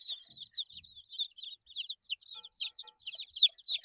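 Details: Eight-day-old domestic chicks chirp constantly in a group: high, thin, overlapping peeps, many with rising or falling slides, tumbling over each other several times a second with only brief pauses and no other clear sounds.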